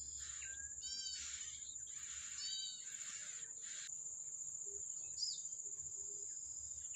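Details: Yellow-bellied prinia in the wild while feeding its young: two harsh, harmonic buzzy bursts in the first three seconds, then near quiet with a faint short chirp, steady high whine throughout.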